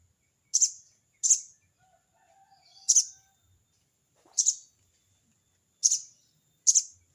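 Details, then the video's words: Sogon (crested jay) giving its crecet cerecet call at a rival: six harsh, rasping bursts spaced one to one and a half seconds apart, with a faint warbling phrase from another bird between them. "burung sogon bunyi crecet cerecet!!sogon manggil lawan!!"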